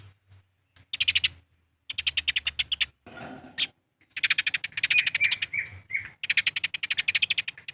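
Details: Fighting Eurasian tree sparrows in a lure recording meant to make birds call: quick runs of harsh, clicking chirps, a brief rustling flutter in the middle, and a few thin whistled notes among the chatter.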